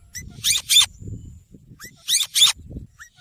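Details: Green ringneck parrot calling: two pairs of loud, harsh, buzzy screeches, each pair close together and separated by about a second and a half of quiet, with faint low rustling underneath.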